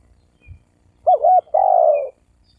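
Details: Spotted dove coo used to stir up wild males and females to fight: a wavering, double-humped note followed by a long, full coo that slowly slides downward, with faint low rumble beneath.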